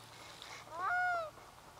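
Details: Black-throated loon crying over a bay in grey mist rolling in from the sea; a single clear, drawn-out wailing note, rising then slowly falling, lasting about half a second against quiet background.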